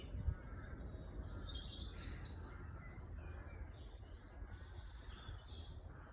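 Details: Small birds singing, heard on a walk taken to unwind: a few faint high chirps and short twittering phrases around the two-second mark, over a steady low rumble of outdoor background noise.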